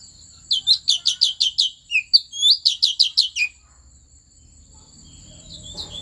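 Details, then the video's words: Wild Asian fairy-bluebird of the Central Highlands forest in Vietnam, its song meant to excite other birds: about three seconds of rapid, evenly spaced high chirps with a few sliding notes, then near quiet with a constant thin whine. "Tiếng Chim Thanh Tước Chuẩn rừng Tây Nguyên kích Lên Lửa"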